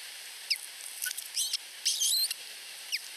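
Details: Osprey chicks, two less than a week old, beg for food from the mother in a nest in Finland; thin, rising squeaks and quick twittering bursts alternate over a continuous hiss.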